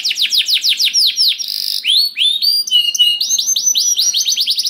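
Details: Lure song of a canary to make others sing: quick repeated down-slurred whistles, a brief buzzy roll, then looping clear whistles and a fast ending trill.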